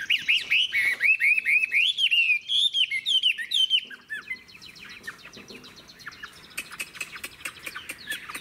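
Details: Mature wild-caught Chinese hwamei opening with about four seconds of loud, fluent, rolling whistles repeated in quick wavering phrases. It then drops to soft, rapid ticking and chattering notes.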